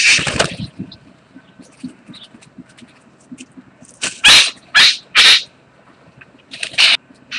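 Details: A bowerbird (karawarra) in mating display on 8 January 2014: after a short harsh burst and faint clicks, three loud, hissing, scratchy rasps come about half a second apart, then a final brief rasp.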